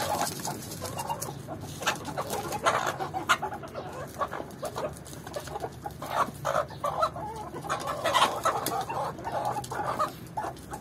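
A Swedish Flower Hen rooster gives soft, low clucks and brief throaty calls in uneven bursts while courting a hen, with other chicken sounds around.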